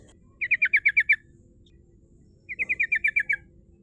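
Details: A female sooty-headed bulbul's 'ngerol' rolling song, used as a lure for rivals: two slower trills of about eight crisp, evenly spaced notes each, separated by over a second of near quiet.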